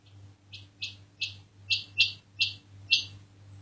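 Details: Quail calling at a slight distance: seven buzzy, high notes in an uneven series, some paired, with a noticeable low hum and faint background hiss.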